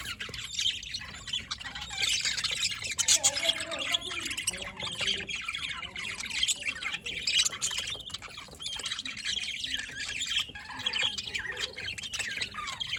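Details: Budgies recorded 27 October 2023 keep up a continuous, bright twittering chorus of overlapping chirps and scratchy warbles, steady in loudness throughout.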